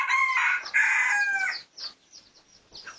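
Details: Red junglefowl of the pradu colour type, recorded for research on 18 August 2023: a loud, harsh, harmonic crow lasting about one and a half seconds, followed by several faint high peeps.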